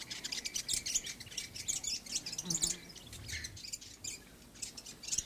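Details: Backyard fantail giving a busy run of thin, high, clipped chirps and ticks at uneven intervals, with soft low background noise.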